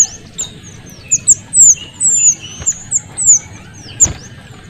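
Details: Small minivet, male and female combined, very noisy: a busy series of thin, very high whistled notes, some sweeping upward and some dropping, given in quick bursts with short pauses; a few softer lower notes and faint background rustle.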